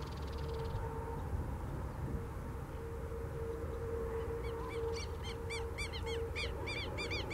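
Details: Buff-necked ibis, a bird with a very loud call, giving loud, harsh, metallic calls that grow quicker through the second half, over a steady low hum and rumbling background noise.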